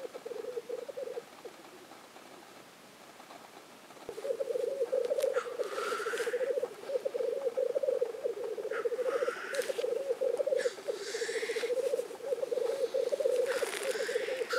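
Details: At the Innvik lek in 2014, black grouse keep up a continuous murmuring, bubbling roo-koo chorus. Several harsh, rising hissed sneezes cut in from about four seconds onward.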